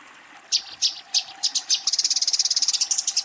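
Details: Eurasian tree sparrow fighting, calling a rival: five spaced, bright high chirps that speed up into a fast, even run of sharp notes rising slightly in pitch.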